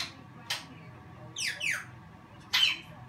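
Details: Pet African grey parrot giving a short burst of calls: a sharp click, then two quick descending whistles, then a loud harsh squawk near the end, over a low steady indoor hum.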